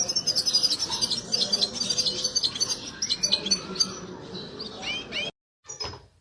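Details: European goldfinch giving a mating song that reportedly prompts the female's mating posture: dense high chattering twitter with some lower murmur underneath, a short gap, then a few more sharp notes.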